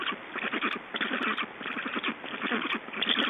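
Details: Black storks at a nest in Estonia during a feeding on 18 June 2012: rapid, raspy pulsed bursts in quick chattering runs, loudest in short groups with brief pauses, over steady background hiss.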